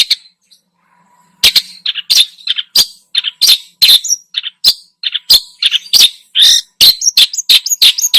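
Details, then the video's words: Long-tailed shrike singing a busy lure song full of imitated phrases: after a quiet start, dense scratchy chatter and squeaky notes tumble out almost without pause, about ninety-odd elements a minute. "PANCINGAN !!! burung cendet gacor, full isian"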